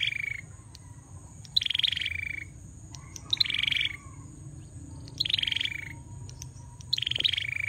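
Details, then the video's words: Two-part buzzy phrases from a male bar-winged prinia in full song, a fast high rattle sliding into a lower drawn-out buzz, repeated about every two seconds over a quiet low background hum. "Prenjak Belukar Gacor"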